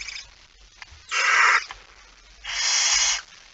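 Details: At night on 17 September 2019, 23:55, a barn owl male comes in with a mouse; two long, rough, breathy hissing screeches separated by about a second of quiet.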